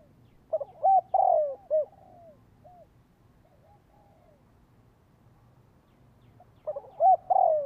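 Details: Spotted dove calling to lure wild birds and get kept doves calling. Two full coo phrases about six seconds apart, each with quick soft notes, hollow coos, and a long falling purr. Faint low hum between them.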